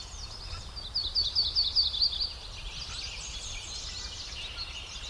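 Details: Chicks calling as a parent bird feeds them: a quick run of about six sharp, high, evenly spaced cheeps, followed by a softer, smeared wash of high twittering over a constant low rumble of background noise.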